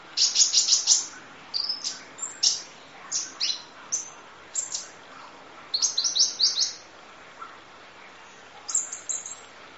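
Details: Sunbird called kolibri ninja in long training audio: rapid opening volley of shrill chirps, then spaced single and paired high notes, a quick chirp series and a final short burst.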